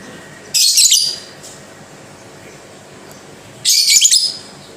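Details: A lovebird, described as singing softly but steadily, gives two short, dense bursts of high, scratchy, rapid chattering about three seconds apart, with quiet background between them.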